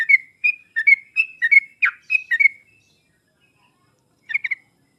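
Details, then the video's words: Sooty-headed bulbul lure song for a bird reluctant to sing; a quick series of clear, whistled notes in varied pitch, followed by silence and one short closing phrase. "pancingan dan masteran trucuk paling cepat di sambar trucuk malas/susah bunyi langsung nyaut"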